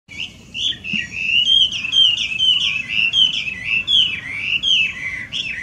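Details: Wild Chinese hwamei, an invasive alien bird in Japan, singing loudly: a rapid run of varied clear whistled notes, many slurred up and down, tumbling together without pause over quiet background.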